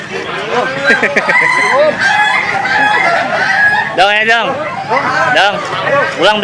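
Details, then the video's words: Ayam Ketawa (laughing chicken) roosters of national contest quality crowing at a contest; several birds overlap in long, wavering harmonic crows, with a loud, rapidly rippling crow near the middle and more following, over steady crowd chatter. "Suara Kokok Ayam Ketawa Kwalitas Kontes Nasional"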